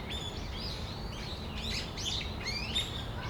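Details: Brown-eared bulbuls in Tamagawadai Park on a December afternoon give piercing, upward-sweeping squeals and harsh slurred notes, spaced irregularly and growing busier toward the end, over steady low outdoor noise.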